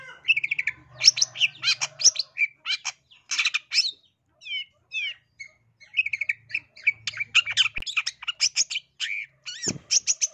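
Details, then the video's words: Lure recording of an East Java long-tailed shrike singing to provoke aggressive song: dense, scratchy, varied phrases of high chirps and squawky notes in bursts, separated by brief pauses, with a faint low hum in places. "Cendet Manapun Langsung Gacor Emosi dengar Pancingan dan Masteran Cendet Jatim biar Gacor Dor Emosi"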